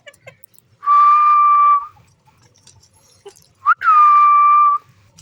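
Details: Green parrot interacting playfully with its owner. Two long steady whistles about three seconds apart, the second preceded by a sharp rising note, with soft background rustles.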